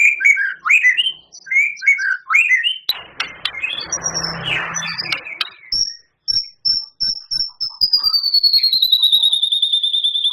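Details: White-rumped shama, a champion singer, giving a long loud volley of song with mimicked canary, cililin and lovebird phrases: chirpy rising notes, a noisy burst, then an accelerating rapid trill of sharp high notes.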